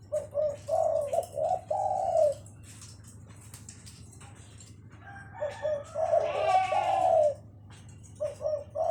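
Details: Spotted dove paired with a lovebird, giving mellow repeated coo phrases of two short notes and a longer falling one, with a harsher buzzy harmonic burst in the middle and a constant low background hum.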